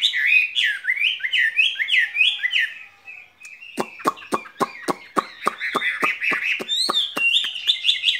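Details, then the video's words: Skylark in a cage sings spring song with looping chirped phrases, then keeps warbling under a steady series of sharp clicking taps about three per second. "Chim quý ở lồng son ca bản tình ca mùa xuân"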